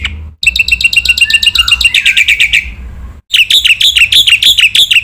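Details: Black-winged myna in a masteran training recording full of varied phrases: rapid repeated chirps with a few lower sliding notes beneath them, a sudden cut, then a fast run of harsh, down-slurred chirps.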